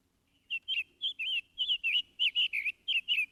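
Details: Summer Tanager, a summer visitor in woods, sings a quick run of about a dozen clear, burry, robin-like notes rising and falling in short warbled phrases; nothing else is heard.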